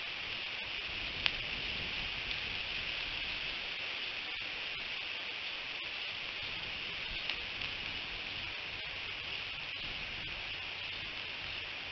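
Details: Steady hissing background like light rain, with a couple of faint sharp ticks and no animal voices.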